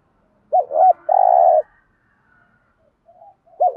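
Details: Spotted dove in the 'thúc gù' lure style for stimulating newly caught doves: a double-hooked note, a long steady rough coo, quiet, then the next phrase beginning, with soft background calls.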